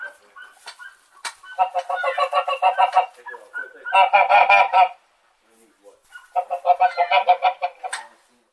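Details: Domestic white geese honk in three loud bursts of rapid, nasal, trumpeting calls, several birds overlapping, with brief quieter gaps between.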